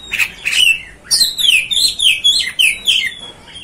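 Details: Kacer, the Oriental magpie-robin, in provoking song: clear downslurred whistles repeated about every half second, strong and bright, with a few sharp high clicks between them.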